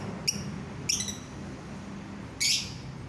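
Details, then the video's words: Somewhat faint lovebird chirps meant to make fellow lovebirds sing. There are two short bright chirps about half a second apart, then a longer harsh, noisy high screech, over low background rumble. "DENGAR SESAAT SAJA, bikin lovebird yang lain ikut bunyi"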